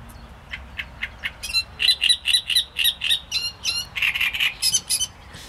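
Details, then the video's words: Great reed warbler song. Scratchy clicks open into a run of loud, harsh, strident syllables pulsing steadily about four per second, ending in a burst of rasping, chattering notes. "Trzciniak i jego śpiew"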